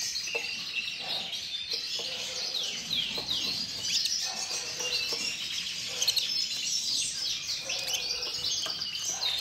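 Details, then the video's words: Norwich canary, a breeding male, delivers a fast, busy song of repeated downslurred chirps and rolling trills that carry on without a break for over nine seconds. "Norwich maschio riproduttore!"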